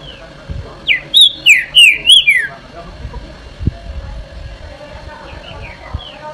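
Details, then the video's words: Trinca-ferro, or green-winged saltator, delivering its "Eu Sou Terrível" song: a rapid string of six loud whistles slurring downward over about one and a half seconds, then a few faint distant notes and light knocking. "TRINCA FERRO CANTO EU SOU TERRÍVEL"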